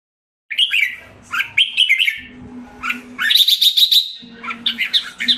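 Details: Caged red-whiskered bulbul (jambul) in Singapore, recovering health and form after a moulting diet and deworming, sings rich warbled phrases at mid-high pitch, short bursts broken by brief pauses, with a rapid buzzy trill; a steady low hum underneath.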